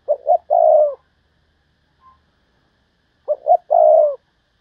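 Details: Spotted dove used as a decoy, thúc bổi style calling: two low cooing phrases about three seconds apart, each a quick double note followed by a drawn-out mellow coo; otherwise quiet.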